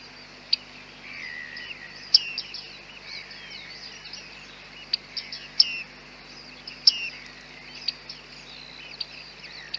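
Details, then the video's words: Bearded reedlings on a very foggy day, recorded with a Panasonic G9 and 100-400 lens: sparse, high, sharp ping notes that drop in pitch, scattered irregularly over a hushed background. "bearded tits"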